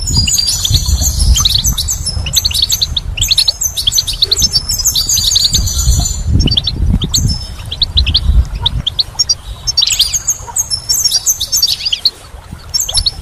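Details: Goldfinch song in spring: bright rapid twittering phrases with high tinkling trills and buzzy notes, several bursts over the recording, with steady low rumbling background noise.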